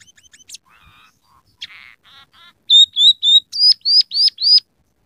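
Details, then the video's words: Scaly-breasted munia singing actively, its song filled with canary, house sparrow and red siskin sounds: short chirps and buzzy notes, then a fast series of bright hooked whistles repeated about four times a second, no background noise. "masteran burung emprit peking gacor isian suara kenari kasar"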